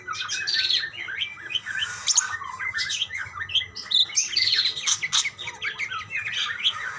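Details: Budgerigars chattering back and forth in a continuous, thick mix of squeaky chirps, warbles and high whistled notes from several overlapping voices, with a low hum beneath.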